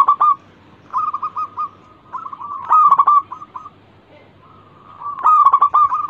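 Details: Local zebra dove singing as a lure recording, praised as a frequent, fast-responding singer good at wooing. Short bursts of soft low cooing notes come in three phrases, with quiet gaps between them.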